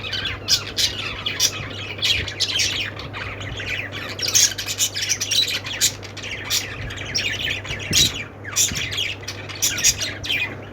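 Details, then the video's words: Budgerigars, listed alongside lovebirds and parakeets, in a flock chattering with dense, overlapping high chirps and harsh squawks that barely pause, over a steady low hum. "budgies sounds"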